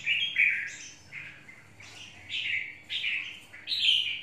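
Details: Lively red-whiskered bulbul, called a 'mộc' bird, pouring out short bubbly warbles in quick succession, some notes rising sharply.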